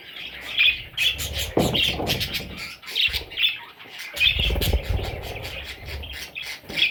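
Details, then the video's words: Parrot chicks squeaking in repeated sharp, raspy chirps about twice a second, with rustling and low thumps from movement. "Parrot Chicks"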